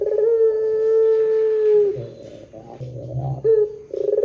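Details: Barbary dove, long-cooing 'pelung' type used as a lure to start other doves calling: a drawn-out steady coo sliding down at the end, a throaty rolled stretch, then new clear notes beginning.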